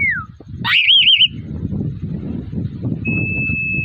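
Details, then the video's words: Male Asian pied starling singing energetically in a fighting mood: a short falling whistle, then a loud rising note running into a quavering warbled whistle, later a long steady held tone, over continuous low rumbling background noise. "Burung jalak uren jantan gacor narung"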